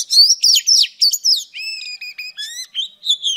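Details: Female oriental magpie-robin singing to excite males: rapid, loud, scratchy chirps at first, then clean whistled notes with rich harmonics, each note short and repeated roughly four times a second in a clear setting.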